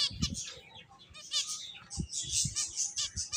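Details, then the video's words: Finches at play give bursts of bright, high twittering chirps, several birds at once, broken by occasional low thuds and knocks. "Cute Birds Chirping Sounds | Beautiful Finches Playing"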